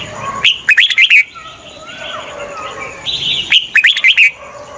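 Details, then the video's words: Decoy red-whiskered bulbul luring wild birds for trapping, delivering two bright, rapid phrases of five to six whistled notes about three seconds apart, with a soft background murmur between them. "Chào mào mồi cực nhạy _ Âm thanh cho ae đi bẫy _ Chào mào mồi dụ bổi rừng"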